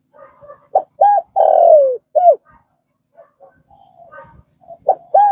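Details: Cooing of a spotted dove, a recording for getting newly caught birds to call quickly: a phrase of clipped low coos ending in a drawn-out falling note, quiet soft notes, then another phrase beginning.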